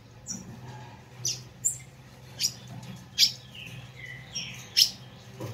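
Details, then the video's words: Azulão, the ultramarine grosbeak, in a fiery 'chiado' meant to heat up kept birds: scattered piercing chip notes between softer descending slurred whistles, with a constant faint low-pitched hum behind. "ESQUENTE seu AZULÃO com esse CHIADO FOGOSO"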